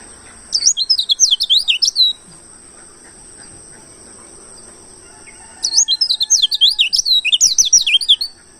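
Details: Wild-type 'ngalas' oriental white-eye in a lure recording: two quick bursts of high, sweeping chirps roughly three seconds apart, each burst about one and a half seconds long, with quiet between.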